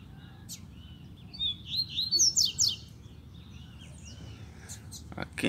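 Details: Double-collared seedeater drawn to a cage, singing in a female's face: a bright, fast phrase of whistled, slurred and trilled notes over a little more than a second, followed by sharp clicks and handling noise.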